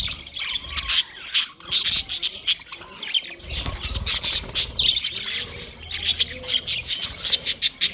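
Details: Singing budgerigar giving rapid, chattering high chirps and squawks in uneven bursts, with a faint low whistle underneath at times.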